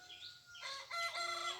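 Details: Red junglefowl, a wild rooster, recorded 3 March 2020, crowing: a harsh, harmonic, strained crow bursts in after a quiet start and holds loud to the end, with faint chirps from small birds before it.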